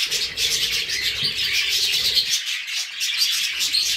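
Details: Group of budgerigars, among cockatiels, pours out rapid high chattering with sharp squeaky accents, while a low murmur underneath fades after two seconds.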